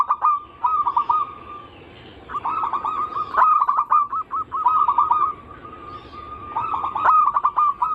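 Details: Anggungan of a zebra dove: repeated trilled, gurgling phrases of quick rolled coos separated by drawn-out steady hums, several phrases in sequence with brief pauses between them.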